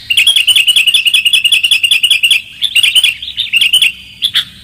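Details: Clear-voiced sooty-headed bulbul lure call: a rapid, even string of bright chirped notes, more than a dozen in a row, then a short break and a few looser phrases near the end.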